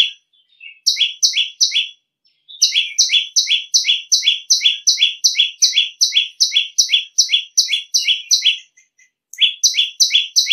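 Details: A bar-winged prinia gives a loud, shrill song of rapid paired high notes, about twice a second, in long runs with brief pauses.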